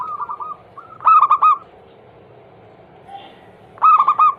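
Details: Perkutut (zebra dove) lure song for prompting caged doves to sing: soft short hoots, then a loud rolling burst of coos, a pause, and another burst starting at the end.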